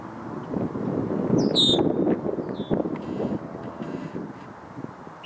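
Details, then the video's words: Red-winged Blackbird alarm call: two or three short, high, clear notes, each dropping slightly, over a steady rumble of wind or distant traffic. "Red-winged Blackbird alarm call"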